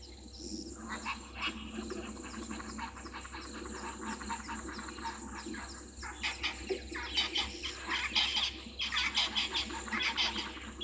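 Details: Spurfowls at Gowrie dam waterhole, Djuma Game Reserve, Sabi Sand Wildtuin, South Africa, on a live waterhole camera, 22 August 2023 at 17:04; harsh, raspy cackling bursts, quieter at first, then louder rapid grating notes in the second half.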